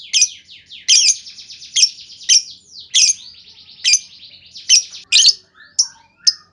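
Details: Lovebird in a lure recording of the 'ngetik' ticking style, meant to draw long chattering from other lovebirds: sharp, high chips roughly every second, linked by buzzy, rasping descending chatter.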